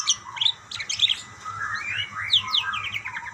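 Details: Budgerigars calling back and forth, a flock of pet birds answering one another with overlapping squeaky chirps and warbled trills, some notes sliding down sharply, in busy continuous chatter.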